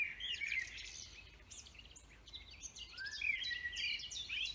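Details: Forest birds in full song, dense bright twittering with rapid chirps and rising whistled notes, fairly close and loud.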